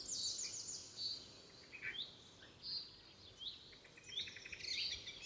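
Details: Red-vented bulbul parent feeding its babies in a home garden. A quick burst of high, rapid notes opens, then repeated short upward-sliding squeaks about once a second, with a few lower chirps.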